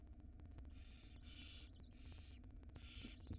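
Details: Barn owl pair nesting with young nestlings in Israel, the female handling prey before feeding them; three drawn-out rasping hiss bursts, each about half a second, separated by short gaps over a constant low electrical hum.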